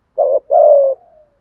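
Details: Single spotted dove coo in the 'thúc gù' decoy style: a short hoarse note, a brief break, then a longer level coo trailing off softly.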